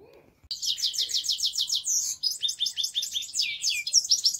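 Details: Grey-crowned goldfinch in the town of Istaravshan: fast, bright twittering with rapid repeated high notes, then varied chattering trills and tinkling phrases, running continuously.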